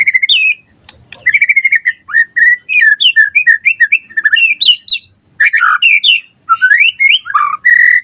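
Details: Full, varied song of a white-rumped shama used to stimulate and teach other shamas: a near-continuous medley of clear whistles, quick chattering notes and rising slurs, briefly interrupted by short pauses.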